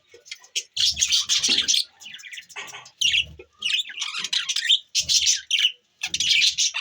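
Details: Several budgies chirping, December 25, 2023. Loud bursts of bright, buzzy warbling chatter alternate with short pauses, with occasional low thuds in the background.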